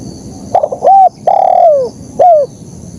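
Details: One KUK 1 style phrase from a spotted dove: a brief stutter of soft notes, a flat mellow coo, a longer coo sliding downward, then a short falling final note, close and loud.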